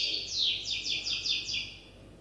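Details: Brief phrase from a young goldfinch hybrid still learning to sing: a string of about six quick, high, downslurred notes repeated evenly, softening at the close over faint background hiss.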